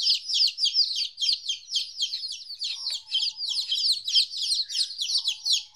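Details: Chicks aged 14 days, on their first separation from their mother, keep up a busy chorus of thin, high peeps that slide downward, overlapping constantly at a rapid pace.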